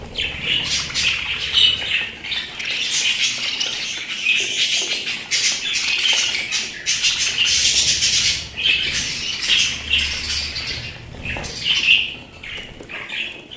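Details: Pet budgerigars keep up a long, lively stream of scratchy warbles, clicks and sharp chirps, loudest in rolling bursts, ending a little quieter.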